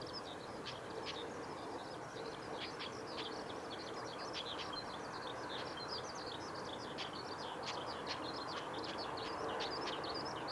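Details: Female chestnut-cheeked starling at the Kitafuji training area, Japan, 20 May 2018: short, squeaky high notes scattered irregularly, several per second, over a steady low rumble like distant traffic or wind.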